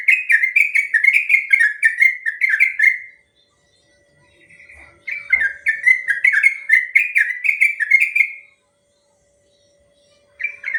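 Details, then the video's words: Long, rapid 'ropel' song of a yellow-vented bulbul, played to train and draw replies from other birds: quick chains of bubbly, falling whistled phrases, about four per second, broken by a short pause with a faint low rustle, then resuming. "Suara burung trucuk ropel panjang"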